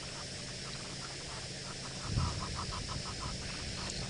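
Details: Egyptian geese, probably two, call from across the water at dusk, 29 Sept 2017, Djuma Game Reserve, Sabi Sand, South Africa, apparently upset by elephants: a fast run of harsh, rasping pulses, four or five a second, over engine hum.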